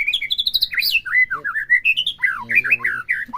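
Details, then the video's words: Captive white-rumped shama song, played to provoke another bird into singing: a continuous run of varied whistles, rapid trills and sliding notes, with a short burst of lower harsh buzzing near the end. "PERANGSANG EMOSI MURAI BATU AGAR CEPET IKUT BONGKAR"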